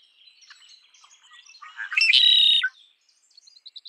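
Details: Red-winged blackbird song: soft chattering notes lead into one loud, rasping trill held for about half a second, then quick high chips close out the phrase.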